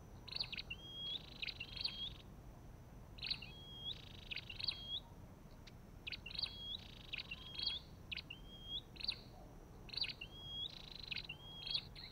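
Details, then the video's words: An Olive-backed tailorbird calls persistently: paired buzzy chips, then a thin rising whistle, the phrase repeated roughly every one to one and a half seconds over twelve seconds, with low background hum. "Sập đôi đầu đỏ và vành khoen | Orthotomus sepium"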